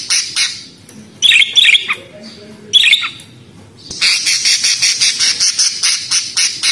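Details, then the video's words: Budgerigar with two short harsh squawks followed by a long run of fast, scratchy pulsed chatter. "Suara Burung Parkit Australi"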